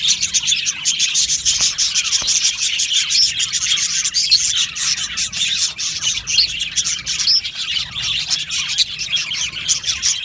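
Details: Aviary budgerigars singing and chirping, an energetic, continuous chatter of squeaky notes and harsh short calls from a whole colony, steady in loudness throughout.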